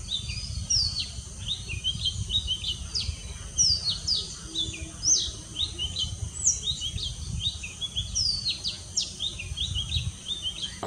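Oriental Magpie-Robin giving short, sharp whistled notes and chirps, high-pitched and irregular, over a steady low hum of background noise.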